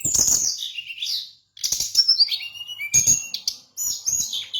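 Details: Brown-chested jungle flycatcher from Bali singing in energetic bursts of high, buzzy, descending whistles broken by short silences, each burst opening with harsh rattling clicks.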